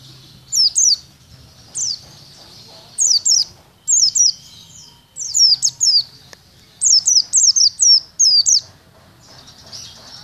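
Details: Caged Oriental white-eye in training at a cemetery, singing short clusters of high, thin, downslurred whistles, two to four notes per burst, with pauses of about a second between bursts over a faint low hum.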